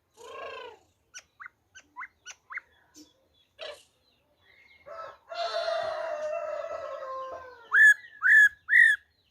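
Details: Wild-style song of a black-throated laughingthrush, dated 26 December 2020: a series of short rising whistles, then a long drawn, gently falling whistled tone, ending in three loud, upslurred ringing notes.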